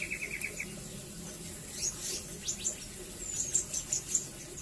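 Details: Velvet-fronted nuthatch (rambatan) used as a master song for training white-rumped shamas and other songbirds: quick series of very thin, high, sharp chips, preceded by a few lower twittering notes, over steady background hiss.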